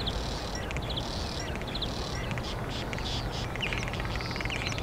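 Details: Common starling performing complex song in Hyde Park, London, April 2016: repeated high buzzy bursts alternating with clicking rattles and brief squeaky whistles, delivered continuously, with low steady park noise underneath.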